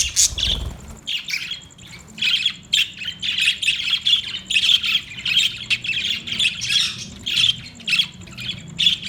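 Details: Budgerigar chattering continuously with short scratchy chirps repeated in quick succession, a low thump near the start and a faint high ticking tone behind.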